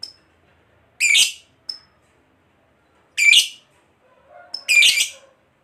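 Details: Fighter lovebird used as a lure to provoke other lovebirds into singing. Three harsh, raspy, broadband chirps about two seconds apart, with thin high whistled pips between them and faint mid-pitched hum near the end.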